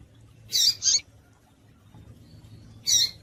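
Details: Double-collared seedeater sounds, a female call used to stimulate males: three short, very high, sharp chips, two close together, then a pause and a third.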